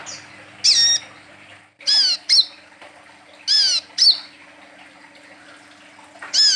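A brown-throated sunbird gives sharp, high, sliding chips in short bursts, some doubled, spaced irregularly over a steady low electrical hum.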